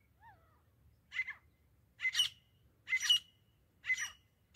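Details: Grey francolin (desi teeter) in a hunting recording: a soft, slurred whistle at the start, then four loud, raspy, doubled squawks spaced about a second apart over a quiet low background hum.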